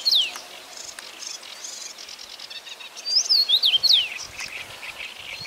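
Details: A single whistled phrase from a common rosefinch, four or five quick sliding notes delivered in under a second, preceded by a lone downslurred note and soft background chirping from other birds.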